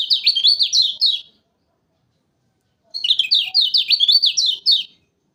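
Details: Lure song of a lemon-bellied white-eye from Lombok, a loud-voiced bird, recorded for trapping: two fast, high, jumbled twittering phrases of rising and falling notes, separated by about a second and a half of silence.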